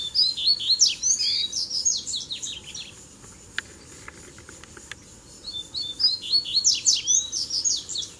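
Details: Three male coleiros arriving at once to fight in a song duel. Fast, high, chattering warbled phrases come in two dense bursts, one at the start and one near the end, with a quieter gap of faint clicks between them.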